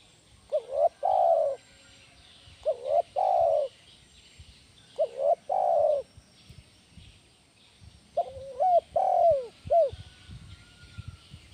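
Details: Spotted dove, loud lure bird for training other doves, repeating low coo phrases about every two seconds, each a short bent note then a held falling coo; the last phrase breaks into several looping shorter notes.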